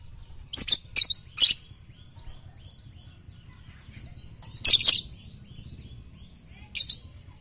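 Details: Lovebird tutor recording for morning, noon and night, with three quick shrill screech bursts, a pause with faint background bird notes, then two more harsh squawks.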